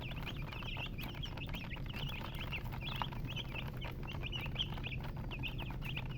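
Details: Many chicks chirping together, rapid piping peeps that rise and dip, nearly continuous, above a constant low mechanical-sounding hum.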